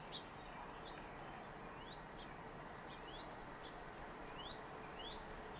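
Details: Northern mockingbird at its nest site in southwest Virginia on 7 March 2021, giving a series of quick, rising, upslurred whistled notes at irregular intervals over a steady low background hum.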